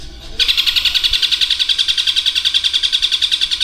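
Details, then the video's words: Indonesian caged long-tailed shrike imitating a lovebird's long trill among other mimicked birds: one sustained, fast, evenly pulsed chatter beginning abruptly and running unbroken for over three seconds. "Suara Burung Cendet Materi Kombinasi Tengkek Buto Kunti Gereja Tarung dan Lovebird Ngekek Panjang"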